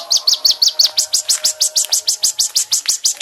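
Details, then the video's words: Kolibri ninja, a caged-bird training song: a quick series of high, sharp chirps about five to six per second, shifting from short downslurred notes to brighter rising ones, steady and insistent. "MASTERAN BURUNG KONIN"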